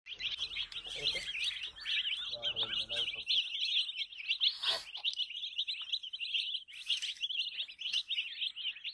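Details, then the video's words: A hen's baby chicks in a dense peeping chorus of shrill overlapping chirps repeated rapidly throughout, with a brief low murmur near the start. "Chicks Chirping"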